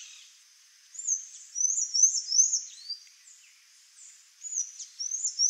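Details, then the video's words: Sayaca tanager singing a fast series of high, thin, squeaky notes with short slurred upward and downward sweeps, given in bursts separated by brief pauses, over a faint steady hiss. "SANHAÇO-CINZENTO (THRAUPIS SAYACA), SAYACA TANAGER, PIPIRA-AZUL, SANHAÇO-DO-MAMOEIRO."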